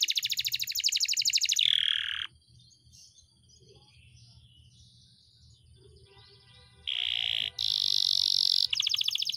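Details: Caged pet canary recorded as a training song for other birds, a long-duration rolling style: dense, fast buzzy trills high in pitch for two seconds, a quiet pause with faint chirps, then more loud rapid rolling trills, over a soft low hum.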